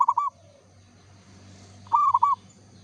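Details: Local zebra dove song: the end of one rolling coo phrase, then a full bright phrase of four quick notes under two seconds later, above a low humming background.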